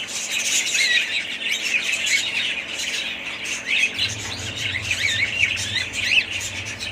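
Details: A family of pet budgerigars chatters in dense, overlapping warbles and zigzagging squeaks; partway through, a low steady hum starts underneath the birds.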